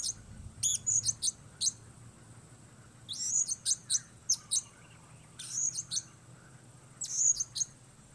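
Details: Blue-crowned hanging parrot calling outdoors: piercing high tsit notes delivered in clusters of four to six, with pauses of about a second between groups.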